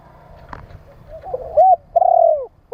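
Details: Spotted dove cooing, used to stimulate and train caged birds; a few soft notes, then loud hollow coos with a rising-falling contour near the end, over faint low background rumble.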